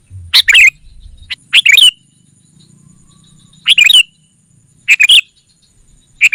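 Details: Lure call of the sooty-headed bulbul, played to summon wild rivals: five or so short bubbly phrases of two to three bright, slightly warbled notes, spaced about a second apart with quiet gaps between.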